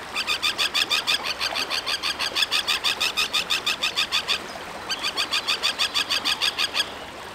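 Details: Common tern (Sterna hirundo), call.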